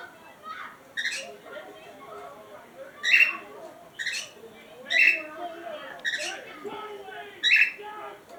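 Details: Pet cockatiels playing in a box, giving harsh, scratchy squawks roughly every one to two seconds, each a short noisy burst, while a person talks softly in the background.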